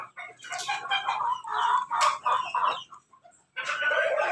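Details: Pelung, Bangkok and Ketawa crossbred chickens gathering at morning feeding give a run of short, rapid clucks, several birds overlapping, then a brief pause before another loud burst of calls.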